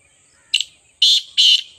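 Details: Three harsh, rasping partridge notes: a short first note followed by two longer, grating blasts close together.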